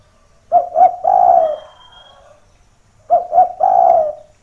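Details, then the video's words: Spotted dove calling, used to lure wild doves, which come down seeking the rival voice: a three-part coo, two short notes and a longer drawn-out one, repeated after about two seconds of quiet. "Suara Derkuku Gacor // Pancingan Pikat Burung Tekukur Paling Ampuh"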